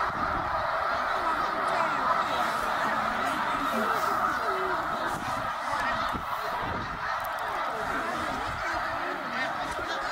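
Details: A huge migrating flock of snow geese at Middle Creek, Pennsylvania, in 2023, swirling in the sky: continuous clamour of yelping, nasal honks layered thickly, with brief louder bursts and a faint low rumble.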